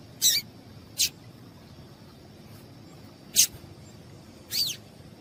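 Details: Female yellow-bellied seedeater call, used to stir a male into singing: four short, sharp, high chips spaced irregularly over five seconds, over a faint steady high tone and low background hiss.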